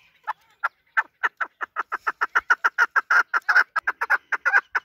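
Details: Hunting chukar partridge, a local desi bird, opens with spaced clucks that build into a fast, loud, steady chuk-chuk series.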